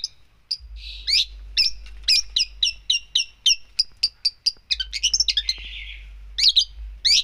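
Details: Gacor long-tailed shrike with a song full of isian: a steady series of short, sharp chirps about twice a second, then a buzzy scratchy passage and more quick notes.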